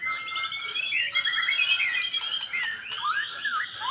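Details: White-rumped shama, post-moult, being conditioned toward fighting emotion; a sustained thin whistle leads into rich warbling and looping phrases, ending in descending slurred notes, over constant background noise.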